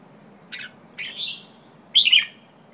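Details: White-tailed jambul giving three harsh, slurred notes around the upper-middle register, the last loudest and buzzy, separated by short pauses over a faint low hum.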